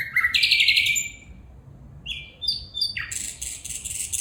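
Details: A female bulbul calls with a short rising note, then a loud, harsh, rattling burst. After a brief quiet stretch come a few clear upward-sliding notes and a final bright, buzzy flourish.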